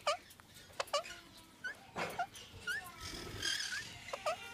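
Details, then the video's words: Indian ringneck parakeet calling while mating: a few quick rising chirps in a cluster, then scattered single upswept notes after a brief pause, with soft rustling noise in between. "Indian Ringneck Parrot Mating"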